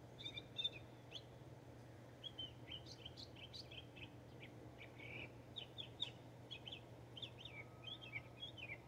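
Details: Mockingbird singing in Texas: a varied run of short chirps, slurred whistles and quick rising and falling notes in rapid succession, over a steady low hum.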